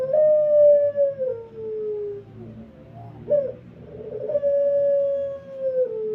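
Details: Barbary dove singing in the pelung style, a call used to lure other doves into cooing: two long, drawn-out, smooth tonal coos that slide slowly downward, separated by a short rough note, over a faint low hum.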